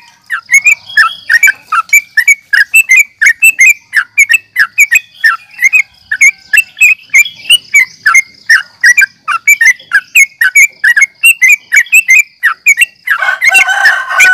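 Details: Yellow-vented bulbul in combative calling, played to stir other bulbuls: a long, unbroken stream of fast chattering chirps, dense and excited, ending in a burst of harsh broadband noise near the close.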